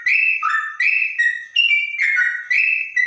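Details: Trotok bird with a clear, straw-headed bulbul-like voice sings loud, ringing whistles in short alternating high and low notes, roughly two per second.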